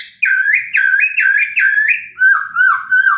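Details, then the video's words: Chinese hwamei morning song, used as a lure to rouse other birds into answering: loud, rich whistled phrases that rise and fall, five quick similar notes followed by lower, slurred whistles. "POKSAY HONGKONG kicau pagi hari buat EMOSI burung lain cocok untuk PANCINGAN pasti NYAUT dan GACOR"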